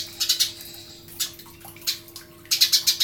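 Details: Eurasian tree sparrow, used as master song for songbird training, giving scattered sharp high chirps in short clusters separated by quieter gaps, over a faint constant hum.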